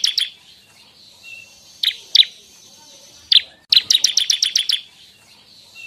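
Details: Bar-winged prinia singing, a recording used as a trapping lure and songbird tutor: scattered sharp high chips, then a quick run of about eight evenly spaced buzzy notes, with faint background noise.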